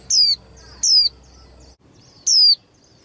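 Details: Young female white-eye, used by bird keepers to excite males before singing contests, calls three times: short, piercing whistles that drop quickly in pitch, the first two close together, then a pause.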